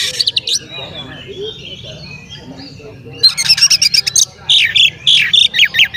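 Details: Oriental magpie-robin, male, singing to provoke other magpie-robins into excitement; after a quieter muddled stretch, loud high whistled and chattering phrases with sharp notes repeated in bursts, plus faint low background noise.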